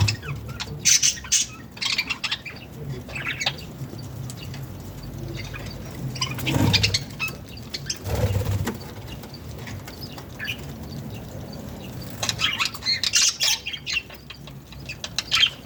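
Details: Pet baby budgerigars growing up give rapid, scratchy chirps and squawks in irregular bursts, with a few soft thumps from movement.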